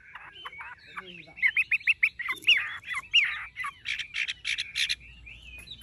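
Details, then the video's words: Tame caged Chinese hwamei with golden-yellow legs, bill and plumage giving moderately loud rapid chattering notes and short slurred whistles in quick series, with softer scratchy sounds between. "Họa mi thuần đét chân mỏ lông lá vàng ươm - Hót như máy"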